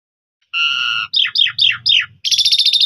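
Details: Javan pied starling in loud, fluent song, recorded as a master for other birds to copy: two steady whistled tones, then four swooping descending notes and a fast buzzy trill.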